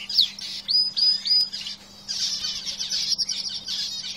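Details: Caged canaries: a few clear sweeping whistles and a sharp click, then a pause and a stretch of fast, dense high trilling, over a constant hum.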